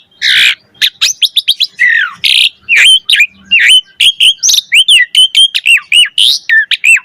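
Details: Rich Asian pied starling song played to stimulate other starlings: harsh buzzy bursts mixed with rapid chirps and a long run of evenly spaced, bouncing whistled notes with quick up-down slides.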